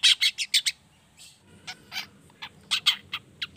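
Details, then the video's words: Pied bushchat singing, used as a lure to prompt other bushchats to sing: clusters of scratchy, high chip notes repeated rapidly, a brief lull, then further spaced chips and buzzy bursts. "Pancingan Cendet Trotol Paud Gacor Ngriwik Belajar Materi.Bikin Trotol Lain Agar Ikt Bunyi"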